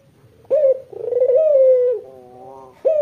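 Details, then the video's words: White, red-eyed Barbary dove, its calling used as a lure for local doves: a sharp upslurred note, then a long, steady, harmonic-rich coo that fades into a softer trailing hum, with another sharp note at the end. "Puter putih mata merah gacor dor buat pancingan puter lokal anda"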